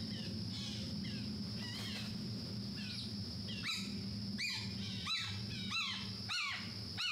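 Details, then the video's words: Red-shouldered Hawk along the Mahogany Hammock boardwalk trail in Everglades National Park: a series of distant downslurred screaming notes, coming faster toward the end, over a steady high insect drone and low rumble. "Red-Shouldered Hawk"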